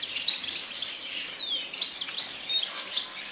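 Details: Yasmin bird singing, a run of high, thin chirps and twittering notes with one short descending whistle near the middle, the notes coming in uneven bursts.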